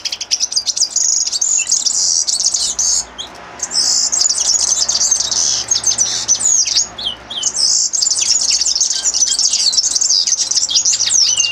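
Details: Common linnet singing: a dense, fast twittering warble of high chirps and buzzy trills running almost continuously, broken by two brief pauses.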